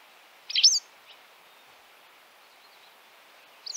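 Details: A White Wagtail in Central Russia gives a sharp, high two-syllable chissick call, then a fainter note about three seconds later, over a light background hiss.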